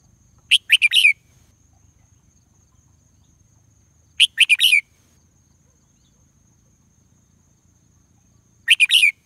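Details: Red junglefowl crowing with no rival answering: a short four-part crow, the later notes dropping slightly, repeated about every four seconds in a quiet setting with a faint steady high hum.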